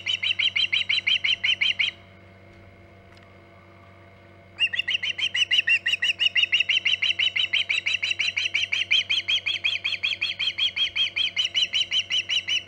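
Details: At its Hog Island nest around 11:45 am EDT on 14 August 2019, an osprey gives fast, repeated, shrill whistled chirps. They stop for about two and a half seconds, then resume in a long, steady string over a faint background hum.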